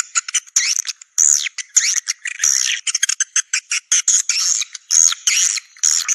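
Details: Swiftlets recorded for attracting birds into swiftlet houses to stay overnight: loud, buzzy twittering bursts with slurred whistles, repeated in short phrases about half a second apart.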